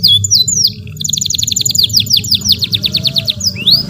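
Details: Canary in long training song for young birds, opening with a few upswept whistles before a fast, steady trill of repeated high notes, then further rising slurs, with low background rumble.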